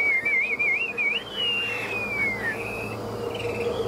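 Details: Caged, tame Chinese hwamei singing a 'ngũ trường' song. It opens with a rapidly wavering whistle, then draws out one long, sweet note that glides slowly downward. A faint steady hum sits underneath.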